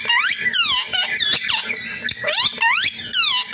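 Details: An Indian green ringneck parakeet "talking with a mobile" chatters in shrill, swooping squawks that slide up and down in pitch, about six quick bursts in a few seconds.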